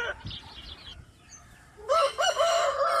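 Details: Dawn crow of a rooster: soft, distant crowing first, then a loud close crow that bursts in with rising-falling harmonic syllables and continues to the end.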